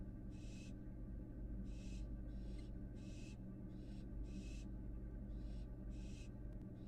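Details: American barn owl fledgling revisiting the nest box on a Florida live cam gives seven rasping, airy hisses at uneven intervals of about a second, with a constant low hum underneath.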